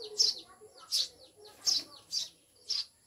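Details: Eurasian tree sparrows (maya) recently taken in as caged pets and called mountain birds: five loud, piercing chirps about half a second apart on a near-silent background.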